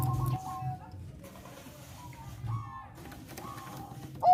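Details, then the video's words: A zebra dove (Bangkok perkutut) gives soft, mellow cooing notes in short, staccato bursts, mid-pitched and repeated, over a low background hum. "perkutut bangkok suara MERDU BIKIN BIRAHI PERKUTUT NAIK"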